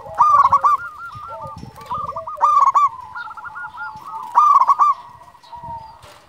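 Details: Local zebra dove, a vigorous caller, opens with a loud cluster of rapid coos. Rolling quieter notes follow, with two more strong bursts roughly two seconds apart.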